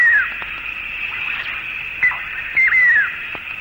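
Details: Malaysian eared nightjar in Malaysian rainforest, recorded in the late 1950s to early 1960s, calling during a five-minute spell of aerial insect hunting at the start or end of the day. Clear whistled notes slide downward, a short note then a longer falling one, over a constant insect buzz.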